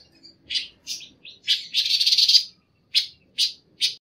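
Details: Panca warna singing a training recording: bursts of sharp, high chirps and short twittering trills in quick succession, one longer buzzy rattling phrase in the middle, then separate clipped notes about half a second apart, with no other sounds.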